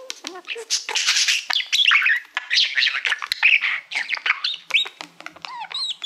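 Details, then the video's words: Pet budgerigar singing to a silver plaque it likes as a mirror: dense, scratchy chatter of high squeaks, clicks and quick whistles running without a break. "Budgie singing to Youtube Playbutton - Cookie sounds"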